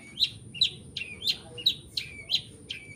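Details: 'Toet toet' song of a long-tailed shrike mixing prenjak, sparrow, petir and kunti imitations: a steady run of about eight sharp, high chirps in three seconds, each dropping at the end, over a faint hum.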